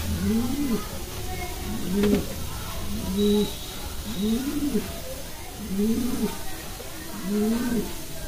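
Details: Kalsara pigeon giving a steady series of six low, arched coos, each rising then falling, repeated roughly every 1.3 seconds over a low rumbling background.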